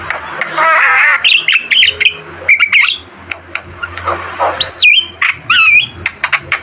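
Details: Energetic Javan myna song used to train other birds: a wavering, throaty warble, then quick squeaks and sharp, high whistles sweeping downward, separated by brief pauses.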